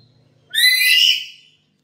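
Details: Black-capped lory kept at home, its call serving as a lure and master recording: one bright, ringing, harmonic screech of about one second, rising sharply then trailing off slightly lower, in quiet surroundings.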